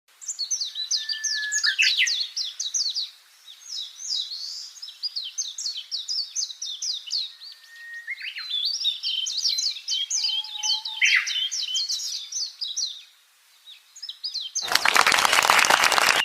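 Budgerigars chatter in a fast, high stream of scratchy chirps and warbled notes.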